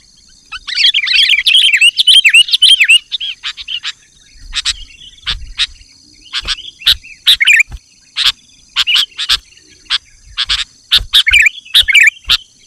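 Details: Sooty-headed bulbul used to call wild bulbuls opens with a rich bubbling warble, then gives scattered sharp chips and short phrases. A high steady insect tone sounds behind.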